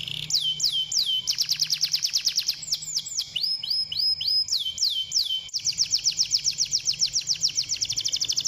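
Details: Canary song meant to get canaries singing: downslurred whistles, a quick trill, varied swooping notes, then a long fast rolling trill that speeds up toward the end.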